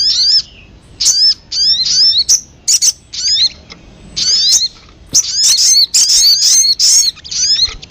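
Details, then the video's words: Sogon, a local name for a small songbird, in a lure recording meant to attract birds: sharp high whistled notes with quick rising and falling inflections, given in short bursts separated by brief pauses. "PANCINGAN SUARA PIKAT BURUNG SOGON PALING DI CARI"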